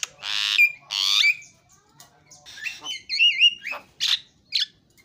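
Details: Javan myna producing loud harsh rasps, then a wavering warbled whistle and a few short squawks.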